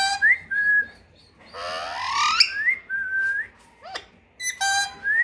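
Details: Pet parrot mixing harsh rising squawks with two-part whistles, a sharp upward note then a held level tone, plus a brief click and a short squawk near the end, in a quiet room.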